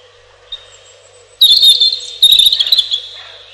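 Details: Robin song: a faint thin note, then two loud, fast, tinkling high phrases one after the other, with rapid trills that fade toward the end.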